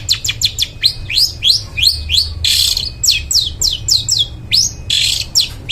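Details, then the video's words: Long-tailed shrike in full lively song, played to coax mute birds to sing: rapid string of sharp downward and upward slurred whistles, about three per second, broken by two short harsh noisy bursts. "Suara Cendet Gacor Paling Dicari,Bangkitkan Suara Cendet Bisu Gak Mau Bunyi"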